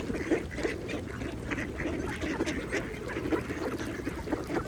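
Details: Mallards dabble and feed in a pond, uttering rough, nasal quacks in loose irregular bursts while water splashes and slurping feeding sounds run continuously behind them.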